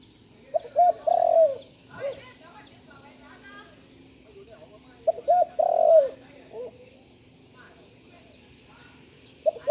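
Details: Spotted dove still learning to call. Two low, hollow cooing phrases come about five seconds apart, each two brief notes followed by a longer descending coo and a soft final hoot. Faint twittering of other birds.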